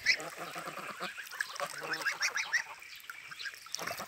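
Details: Domestic farm geese on the Volga, swimming, give overlapping nasal honks and softer chattering calls in a busy, continuous stream, with a faint hint of human speech.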